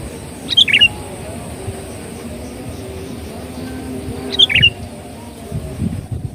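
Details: Sooty-headed bulbul calling, recorded as a lure for birds: two brief gurgling whistled phrases about four seconds apart, with a low rumbling background and faint noise near the end.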